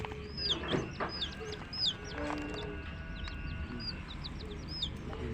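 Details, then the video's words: Hen's baby chicks give thin, falling high peeps, fairly scattered and overlapping, with soft clucks, thumps and a steady low hum underneath. "Witty MURGI Baby "Chicks Chirping" Sound"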